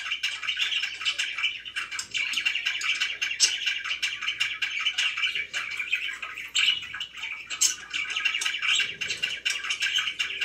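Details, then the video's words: Pet budgerigars chirping continuously, a dense stream of buzzy, scratchy warbles and short sharp squawks, with several birds overlapping throughout and no pauses. "#chirpingbirds #budgie"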